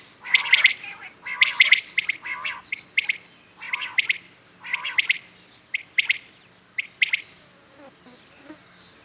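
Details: Common quails call in the morning, a loud, clear, sharp three-note phrase repeated about once a second, with short hoarse notes between, then fading to quiet at the end.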